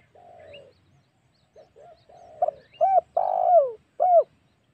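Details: Spotted dove lure sound for drawing wild doves: soft low humming notes lead into a full phrase of a stuttered note, an arched coo, a long falling coo and a closing arched coo.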